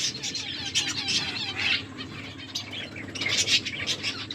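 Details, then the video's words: Pet finches chirping while eating, a busy stream of short high chirps and twittering notes, with a run of quick falling chips near the start, layered over a low steady hum and light fluttering. "My beautiful finches eating and enjoying finches chirping sounds"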